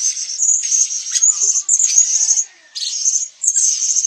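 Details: High, hissy, buzzing chatter from a blue-crowned hanging parrot in Sabah, Borneo, delivered in three or four bursts broken by brief silent gaps.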